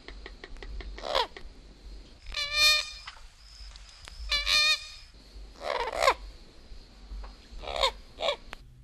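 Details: Common (Florida) Gallinule from a 1961 guide to eastern and central North American bird songs, giving loud, nasal, clucking cackles in quick rattling bursts with harsher, noisier squawks, about every two seconds.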